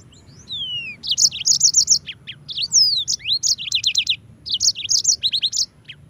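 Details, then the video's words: Yellow-fronted canary singing continuously as a tutor recording for training white-eyes: high sweet downslurred whistles, then rapid bursts of bright chirped notes and short trills in quick repeated phrases, with faint low background hum. "Masteran Mozambik Gacor - REAL SUARA JERNIH"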